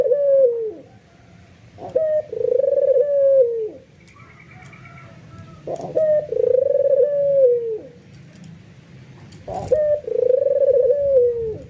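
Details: White albino ringneck dove, captive, cooing excitedly and prompting other doves to join in: drawn-out, wavering coos around mid-low pitch, each about 1.5 seconds, falling at the end, separated by short clicks and thumps in a small room.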